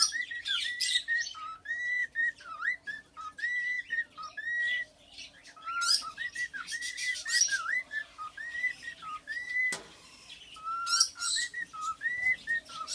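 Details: Tame three-year-old male cockatiel serenading its owner with a long run of clear whistled phrases: looping, up-and-down notes repeated in quick succession, broken by brief harsher chirps and one sharp click.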